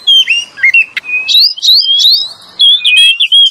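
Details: Male and female Oriental magpie-robin as lure: melodious whistles, a long gliding note, then a series of quick rising warbles and flute-like phrases.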